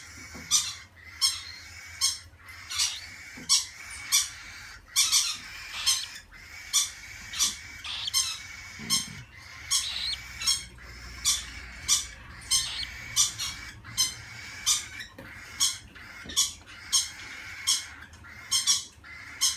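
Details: Two cockatiels give harsh, screechy calls in quick succession, roughly one per second.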